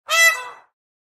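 A peahen gives a single harsh, nasal honk lasting about half a second, with nothing else heard.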